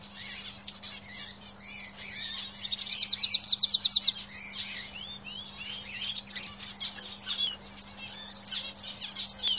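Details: Caged canaries in song, a long varied run of fast trills and upslurred whistled chirps, swelling into a loud rapid rattle midway, over a constant low electrical hum.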